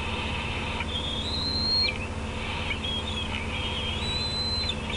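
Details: At the Decorah nest, 8:48 PM CDT on June 18, 2016, bald eagle juveniles approach a parent perched on an outer limb: faint drawn-out high whistles, level then falling away, set against constant background hum.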